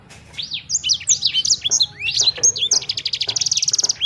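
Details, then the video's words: Sanger bird song, offered as a way to make your own sanger bird sing at once: fast, varied high whistles with arched and rising notes, ending in a rapid, evenly pulsed trill over a faint low hum. "Burung Sanger Anda Bunyi Seketika"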